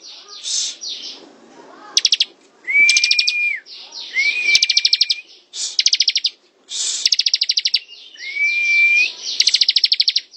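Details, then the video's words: Ngebren-style song of a ciblek (bar-winged prinia): a run of short, sharp, high rattling bursts and sweeping notes, interleaved with three long level whistles that drop at their ends. "Suara ciblek ngebren"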